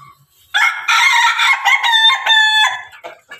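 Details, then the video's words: Pelung and Ketawa roosters kept together; one loud, sustained crow of about two seconds, harmonic and slightly wavering, ending in a few choppy, falling notes. "ayam pelung ayam ketawa bersama"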